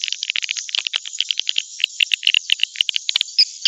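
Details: Swiftlet lure sound for drawing birds into a nesting building: quick, uneven high chirps and clicks, some louder twittering notes near the end, over a soft continuous chatter.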